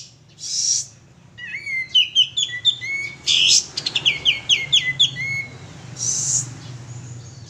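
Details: Male sooty-headed bulbul singing as a lure: a rapid series of short whistled notes sweeping between mid and high pitch, broken by brief harsh noisy bursts near the start, middle and end.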